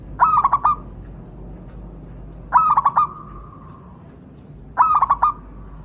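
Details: Wild local zebra dove, Javan perkutut, recorded for training other doves: three short staccato bursts of four rapid coos, each trailing into a faint drawn-out note, repeated roughly every two and a half seconds over quiet background.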